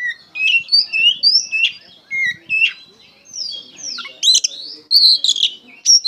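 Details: Oriental magpie-robin in full, emotional song: varied whistles and slurs, then harsh rasping notes mixed with bright high whistles.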